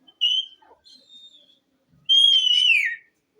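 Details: Green ring-necked parakeet, a talking pet parrot. It gives a short bright whistle, then a faint level whistle, then a longer clear whistle that slides downward at the end.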